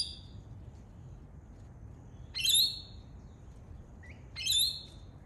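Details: Australian lorikeet parrot calling with two sharp, shrill screeches about two seconds apart, each brief and raspy, plus a faint short note just before the second.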